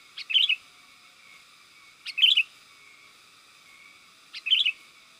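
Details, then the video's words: Sooty-headed bulbul lure call used to attract wild birds: three short bubbly phrases of quick chirping notes, roughly two seconds apart, over a steady hiss. "SUARA PIKAT BURUNG KUTILANG GACOR 100%AMPUH UNTUK SUARA PANGGILAN DAN MASTERAN"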